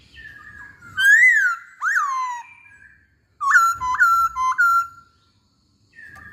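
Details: Masked laughingthrush song used as a lure. Loud, clear whistles: a rising-falling note, a sharply dropping one, then three quick upward-flicked whistles in a row, with pauses between phrases.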